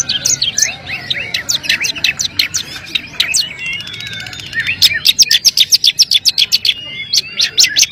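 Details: Long-tailed shrike pouring out rapid, shrill chattering chips and short trills, then a steady burst of evenly spaced piercing notes about four per second, high-pitched throughout over a faint low hum.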